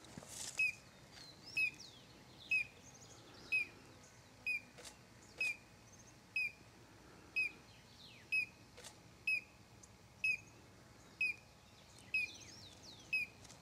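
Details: In São Desidério, Bahia, north-east Brazil, during December, a collared crescentchest gives clipped downslurred notes about one per second, evenly spaced, while thin high twitters from other birds sound in the background.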